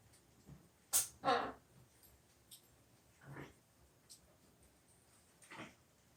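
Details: A pet macaw sneezing indoors in a small room: a loud, sharp, noisy burst followed by a second breathy burst, then two softer hissing sneezes about two seconds apart, with low room hum behind.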